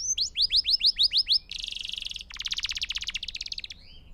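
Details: Canary song for teaching young birds to sing: a run of repeated falling whistles, then a dense buzzy trill, followed by a long rapid rattling tour of short high notes fading out.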